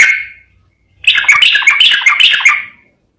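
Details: Trucukan (Yellow-vented bulbul) giving gacor ropel garuda song: one short fading note, a pause, then a dense, rapid chattering warble of bright notes lasting nearly two seconds.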